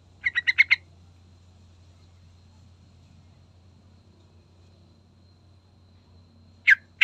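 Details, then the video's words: Yellow-vented bulbul (trucukan) lure song meant to draw a reply: a rapid burst of five harsh, clipped notes, a long pause with faint background hum, then a single sharp note at the end. "Pancingan Trucukan Gacor Full Isian"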